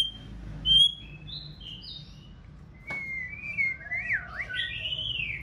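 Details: Female white-rumped shama, freshly moulted and preparing for breeding season, singing to stimulate a male: scattered high whistled notes, a sharp click near three seconds, then rising and falling slurred whistles toward the end.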